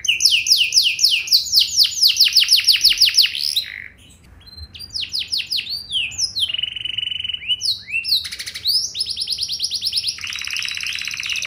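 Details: Canary lure song to encourage other canaries to sing back: fast rattling trills, a brief pause, then varied phrases of swooping notes, steady whistles and a dense buzzy trill at the end.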